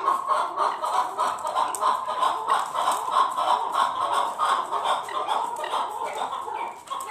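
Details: A chukar partridge in a fight gives a dense, continuous stream of rapid chuck notes, about three per second, holding a steady middle pitch with little pause throughout, against background hiss.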